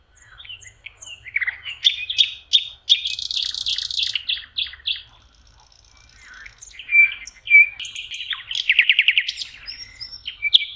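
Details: Nightingale song at a lake in May: scattered chirps, a buzzy rattle, a short pause, then rapid repeated notes and a fast pulsing trill.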